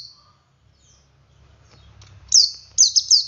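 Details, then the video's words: Ngalas song from a male Oriental white-eye, used to get other white-eyes singing: quiet at first, then a sudden high, thin series of four rapid, falling chirps near the end. "Suara Burung Pleci Jantan Ngalas Memancing Pleci Lain Ikut Ngalas"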